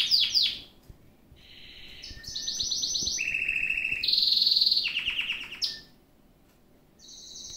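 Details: Gloster canary singing a varied song of rolling trills and buzzy tours, each phrase held about a second at steady pitch before jumping higher or lower, with a short pause near the end.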